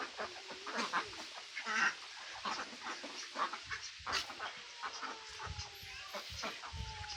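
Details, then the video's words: Ducks, including mandarin ducks, mallards and Pekin ducks, quacking in a busy chorus of short, nasal, overlapping irregular calls, with clucking fowl and other birds in the background. "Ducks Quacking"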